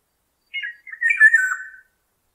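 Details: Black-naped oriole (Oriolus chinensis) call: a harsh, nasal squawk, a brief rasp followed by a longer wavering, slightly descending note over about a second and a half.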